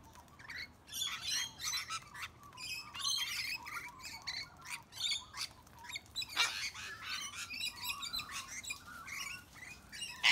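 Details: Flock of rainbow lorikeets bullying much bigger birds, among them cockatoos and bush turkeys; dense, piercing screeching and chattering rises and falls in pulses almost without pause, one sharp crack partway through.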